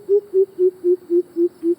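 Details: A Greater Coucal, a secretive bird hiding in bushes, gives seven deep, hollow, far-carrying hoots in an even run, about four per second, each sliding slightly lower; this call is given at dawn and dusk.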